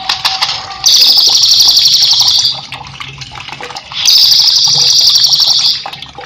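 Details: Cililin singing loud and lively, a master song for training cage birds: two long, bright, high trills of rapidly repeated buzzy notes, each about two seconds, with quieter chirps and faint background noise between.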